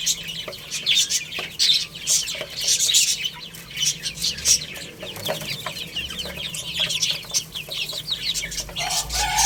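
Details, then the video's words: Baby chickens at play and feeding, chirping constantly in a crowded chorus of short, squeaky peeps, loudest in the first half and easing slightly later, with scattered clicks. "Cute Little Chicks Chirping Sounds| Baby Chicken Playing and Eating"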